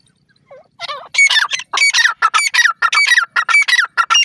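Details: Partridge (dakhni teetar) calling: loud, harsh squawking notes repeated in a fast, uneven series, growing steadily after a few softer opening notes.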